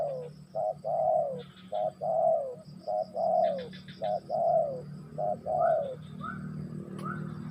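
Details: Spotted dove cooing rhythmically, pairs of a short note and a longer warm falling coo repeated steadily about six times, then fading into faint upward-sliding notes, over a low steady hum.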